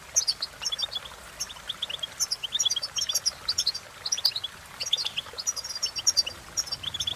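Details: Goldfinch pouring out a cheerful song: dense, lively twittering of high, liquid notes and quick chirps, almost without pause for seven seconds, over a quiet low hum.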